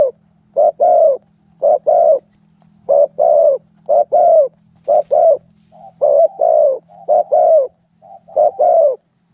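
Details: Fighting spotted doves: loud, hoarse coos delivered in pairs and triplets, with short pauses between groups and a few softer, level notes slipped in.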